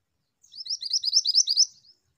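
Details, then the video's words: Female bird giving a rapid, high-pitched chattering run of about eleven short, sharp chirps in roughly one and a half seconds, set against complete silence. "MANTENAN BETINA GACOR"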